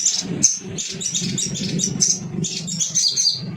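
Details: Dense, continuous high chittering and sharp chips from a Little spiderhunter, used to stimulate singing, set against a constant low humming background.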